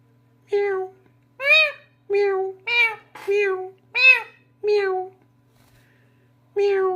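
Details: Talking parrot impersonating a cat in a small room: a rapid run of about eight meow-like calls, some flat and drawn out, others arched, then a pause before a final meow; soft hum behind.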